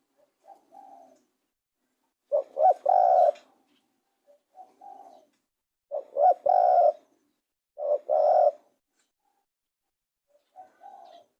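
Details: Spotted dove cooing, repeated phrases of two quick short coos followed by a drawn-out low coo, with softer distant coo phrases from another dove between them.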